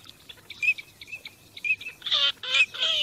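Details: Teal during migration: sparse short whistles at first, then louder rasping nasal calls with falling lower tones packed into the final second.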